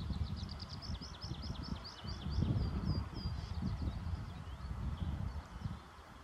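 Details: Black-necked grebe at Speicherbecken Geeste reservoir, 10 April 2015: a quick series of high, thin, rising whistled notes, about five per second, fading after three seconds, over steady low wind rumble.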